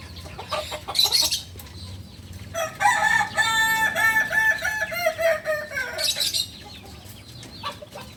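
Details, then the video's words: Young, still-learning Kukuak Balenggek rooster from Solok in West Sumatra crows for about three seconds in a stepped, wavering line with strong overtones, bracketed by clattering noises before and after. "Ayam kukuak balenggek PEMULA ayam asli solok sumbar"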